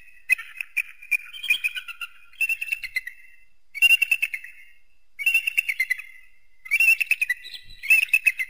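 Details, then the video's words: Eagle giving repeated bursts of rapid, high, chattering notes, each series about a second long and coming every second or two, with a few thin whistled slurs between them. "eagle and its distinctive voice"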